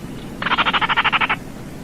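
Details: Baillon's crake giving a single dry, frog-like rattle of about a dozen rapid, even pulses lasting roughly a second, over a soft background hiss.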